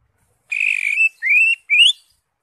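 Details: Green leafbird song used to prompt a caged bird into singing: three clear whistled notes, a long level whistle followed by two rising slurred whistles, each about half a second, on a silent background.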